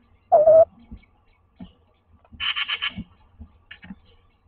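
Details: Tawny owl pair inside a nest box in Toledo, Castilla-La Mancha, Spain, during courtship in daytime, male grey-brown morph and female grey morph; a short wavering mid-pitched call, then a fast burst of harsh chattering notes and fainter scratching.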